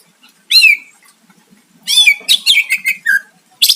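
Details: Greater green leafbird song used to goad a rival into answering. One loud slurred whistle, a pause, then a quick run of bright, bouncing whistled notes ending in a falling slur.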